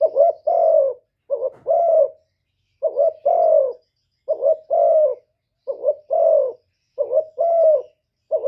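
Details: Spotted dove of 'thổ thúc' voice, cooing and calling to provoke rivals: rapid run of low paired coos, a quick wobbling note then a longer mellow one, about seven phrases in quick succession.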